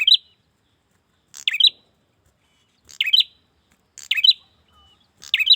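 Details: Male prenjak calling for a female: five abrupt, scratchy chirp bursts at uneven intervals of one to one and a half seconds, each a rapid high twitter with a buzzy tail.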